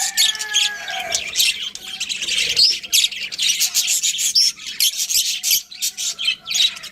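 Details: Budgies chirp in a lively group, with whistled notes early on giving way to fast, scratchy, overlapping twitters.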